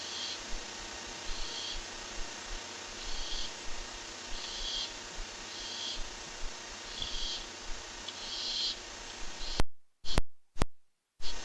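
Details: Barn owl on a live camera on the day a rat arrives, giving a long run of short rasping hisses, roughly two per second, before the sound cuts out in brief dropouts near the end.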